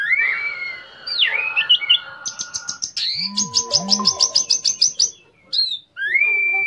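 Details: Orange-headed thrush song meant to trigger another thrush to sing: long whistles and slurred notes, a fast string of high clipped notes, and low cooing notes in the middle.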